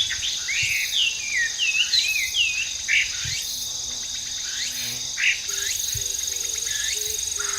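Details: Wild Chinese hwamei singing in natural surroundings: loud, varied whistled phrases of rising and falling notes, some slurred and looping, delivered in quick bursts over a steady high insect drone.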